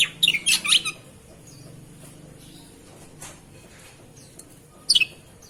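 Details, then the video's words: ['Oriental magpie-robin during a bath, giving quick bursts of high chirps that sweep steeply downward, one cluster at the start and another near the end, with soft rustling between.'] "Kacer, Proses pemandian kacer kicau"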